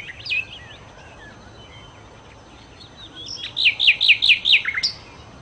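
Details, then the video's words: Sikatan londo, or nightingale, gives scattered soft twittering notes at first, then a loud series of six quick, sharply descending whistled notes repeated evenly, ending with a final high chirp. "kicau Sikata Londo( Nightingale Birds )-Kicau Burung"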